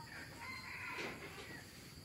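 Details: A hybrid junglefowl gives one short, ringing wild-type crow with a strained middle note and clipped ending, about two seconds long, over a steady background hiss.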